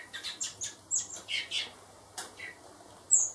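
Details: Four baby blackbirds hand-raised for later release give harsh, squawky chirps in short bursts, with several thin high notes, a pause, then a few softer chirps and one sharp, piercing squeak at the end over a faint low hum.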